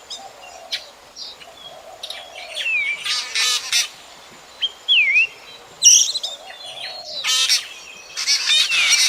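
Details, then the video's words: Drongo calling, a sound used in night bird trapping, 2024: scattered phrases of harsh buzzy chatter mixed with clear whistled swoops that fall and rise, separated by quiet gaps. "Tiếng chim Chèo Bẻo kinh tế. Kỉ niệm cho anh em bẫy chim đêm 2024"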